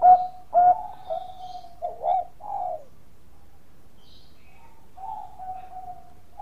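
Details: Zebra dove of the Bangkok type singing to provoke rival doves: a few rapid rolled coos leading into long mellow drawn notes, then a quiet pause and a softer sustained coo, with faint distant chirps.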